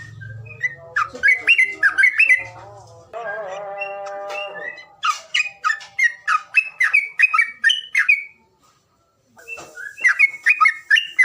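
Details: Bird calls used to stir reluctant birds into singing: bursts of quick, squeaky, down-slurred chirps, a stretch of steady harmonic tones in the middle, a brief silence, then more rapid chirping.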